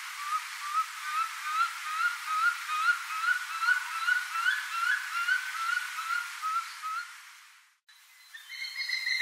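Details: Crowned eagle near Port Alfred, Eastern Cape, South Africa, giving a long run of rising whistled notes, roughly two to three per second, steady for about seven seconds before a brief gap and a different sharp tone.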